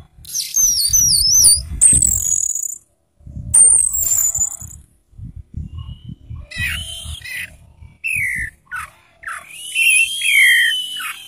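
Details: Orange-headed thrush kept in a cage, dazed after exercise. It sings high, wavering, looping whistles, then lower slurred notes that rise and fall, over repeated low knocks and rustling from movement nearby.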